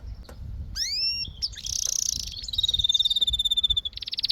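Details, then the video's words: Canary singing: quick rising slurred whistles, a loud buzzy roll, then a long even trill of rapid pulsed notes ending in a harsh fast rattle; light background hum. "Canary Singing"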